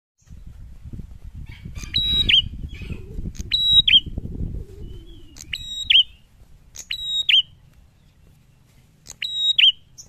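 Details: Prinia singing loudly and challengingly: five repeated phrases, each a sharp click followed by a steady high whistled note ending in a quick downward twist, spaced about two seconds apart, over low rumbling noise during the first half.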